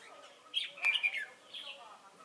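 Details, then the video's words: Red-whiskered bulbul decoy, trapping at Chùa Hương on 28 November 2017: a single loud, rapid whistled phrase with sharp notes, then a softer short warble. "Bẫy chào mào Chùa hương chơi mau mỏ"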